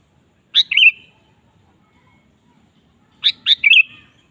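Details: Lively sooty-headed bulbul song used as a lure for a kept bulbul: a sharp note with a liquid warble, then after a pause a phrase of two sharp notes leading into a bubbling flourish.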